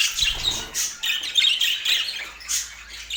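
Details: Budgerigar in Portland, a pet bird, uttering short bursts of scratchy high chirps and squawky twitters, several bursts rising and fading within a few seconds.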